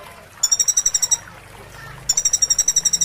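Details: Olive-backed sunbird (konin) training recording for caged birds in moult: two fast regular high trills of about a dozen pulses each, separated by a pause, over a low background hum.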